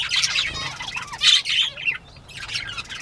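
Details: Bobwhite quail playtime, 10:13 AM, 19 April 2017: quick, bright twittering chirps in a busy cluster, a brief near-quiet gap, then softer high notes resume.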